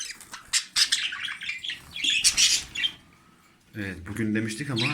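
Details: Male jumbo budgerigar warbling beside his new mate indoors, the pair beginning mating movements; rapid scratchy chirps and squawks for three seconds, then a man's voice over quieter chatter.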